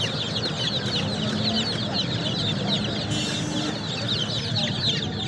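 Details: Many baby chicks peeping continuously, high-pitched short chirps layered thickly over one another, with a faint low hum and a brief higher tone midway.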